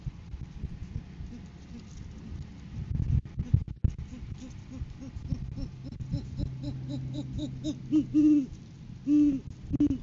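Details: Great horned owl pair at a live camera in January 2023, courting season with a food gift delivery. After several seconds of low rumbling background and faint repeated notes, deep hoots sound near the end in a stuttered pattern.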